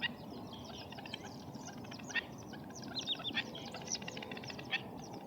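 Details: Black-winged stilt giving rapid, harsh yapping notes in dense repeated series, several loud ringing calls near the middle and end, with steady low background rumble throughout.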